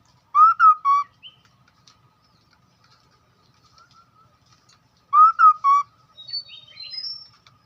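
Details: Hwamei singing a lure song: the same crisp three-note whistled phrase given twice about five seconds apart, followed by higher, thinner twittering notes, with quiet pauses between phrases.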